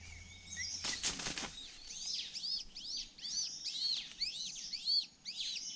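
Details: Hungry honey buzzard chick, the younger of the brood, which missed out on bee pupae; a burst of wing flapping early on, then rapid, high, arched chirps repeated in quick succession over faint background noise.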